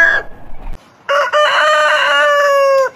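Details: A heritage-breed rooster gives a single long crow, a brief stuttered start followed by a sustained, steady, rich-toned note lasting almost two seconds before breaking off, after a clipped tail of an earlier call.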